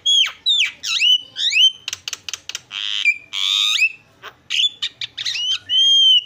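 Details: Javan myna in full song: loud rising and falling whistles mixed with harsh buzzy bursts and clicking notes, a varied, mimic-like medley packed densely over six seconds.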